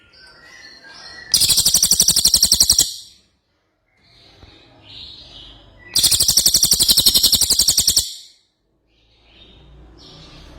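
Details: Two bursts of gacor song from an ashy tailorbird, each a fast buzzy chatter of many identical high notes lasting one to two seconds, separated by quiet gaps with soft chirps.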